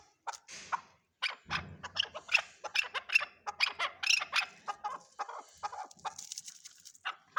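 Chukar partridge giving a rapid, harsh series of clucking chuk notes, about three to four per second, loud and scratchy, with a low rumble near the start.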